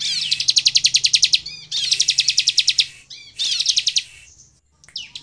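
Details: Bar-winged prinia (ciblek) singing steadily, a song said to provoke other birds into singing: three bursts of rapid, high, buzzy pulsed notes, each burst over a second long, separated by short gaps and a few sharp upslurred chirps.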